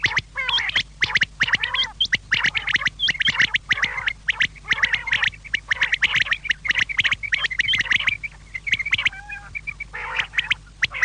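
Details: An evening quail chorus of continuous harsh, rattling chatter: rapid clicking notes packed into long runs with scattered buzzy nasal calls, barely pausing throughout.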